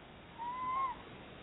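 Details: Pair of Tawny Owls in Somerset, visiting a barn owl nest box while looking for a new nesting site and chattering to each other; a single brief, level tonal call lasting about half a second, slightly rising then dropping at the end.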